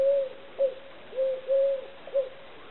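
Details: Eurasian collared dove cooing: soft, low, hollow notes, a short note followed by longer drawn-out ones, repeated in a steady three-part phrase pattern over a faint background hiss.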